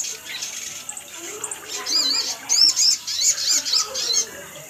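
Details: Sunbird call used as a lure to make birds start calling: a rapid burst of very high, thin chirps and twitters over about two seconds, above a steady high hiss.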